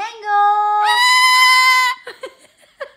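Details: A year-and-a-half-old male pet severe macaw, mimicking a laugh, gives a drawn-out human-like vowel that jumps sharply higher for a second, then breaks into a few short, choppy laugh-like bursts.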